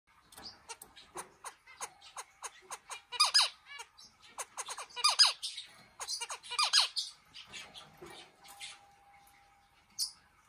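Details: Pet zebra finch with a distinctive, mechanical-sounding voice that other zebra finches do not accept as one of their own: rapid clicking ticks and buzzy, noisy bursts, uneven and stuttering, ending in a lone high note.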